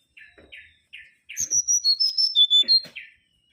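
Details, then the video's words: Mangrove whistler opening with four short, lower notes, then a rapid run of about eight clear whistles stepping down in pitch, ending on a lower note. "Kancilan Bakau Gacor"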